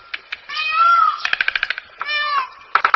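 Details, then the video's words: Indian peafowl (peacock) gives loud, nasal, wailing calls: two drawn-out rising cries split by a rapid run of about eight short honks, then a few clipped notes. "Peacock Sound Mor Sounds"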